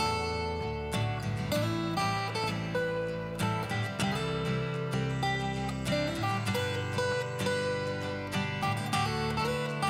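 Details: Plucked acoustic guitar music plays throughout, with no animal sounds.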